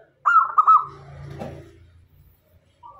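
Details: Local zebra dove singing actively, kept as a lure bird to draw in male and female doves; one short phrase of soft, stuttering coos, followed by low rumbling background noise.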